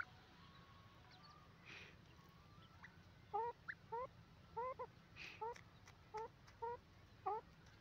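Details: Pair of francolins (teetar) giving a series of short, sharp, two-part harmonic calls, repeated roughly every third of a second through the second half, fairly faint over a steady low background hum.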